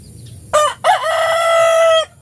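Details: A rooster crowing in the morning gives one full crow: two short rising syllables, then a long, loud, strained note held for over a second before cutting off.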